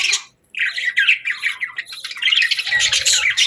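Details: A brief pause opens into loud budgerigar morning chatter, rolling warbled notes and rasping squeaks crowding together, with faint low rumbles toward the end.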